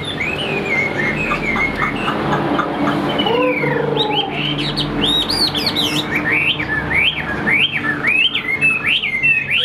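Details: Chinese hwamei kept as a songbird, singing after a quieter start: loud, rapidly varied whistled phrases with rising and falling slurs and quick repeated notes, over a steady low hum.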